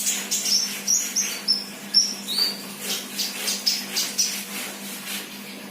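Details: Young untrained sunbird chirping rapidly, about two sharp high notes a second, bright and thin, some slightly falling in pitch, against a low mechanical hum.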